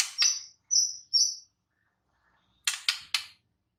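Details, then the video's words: Wild white-rumped shama giving high, pure whistled notes, three in a row, then after a pause three quick harsh ticking clicks; quiet background otherwise. "Kicau KHAS Murai BATU di ALAM LIAR"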